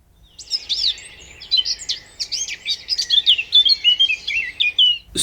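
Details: White-browed Warbler singing in Brazil's Atlantic tropical forest, where sound carries poorly: a high, twittering song of about five seconds, starting very high and stepping progressively lower through rapid, slurred notes.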